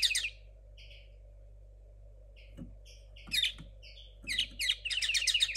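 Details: Young linnet hybrid hatched in 2022, its song still tangled, makes a brief twitter, sparse soft paired notes, then a rising run of rapid high chirping at the close, over low thuds and background hum.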